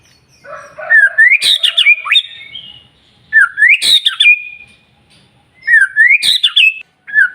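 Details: White-rumped shama song for provoking other birds to sing at dawn: three similar phrases of rising whistles ending in sharp, loud cracking notes, each phrase separated by about two seconds.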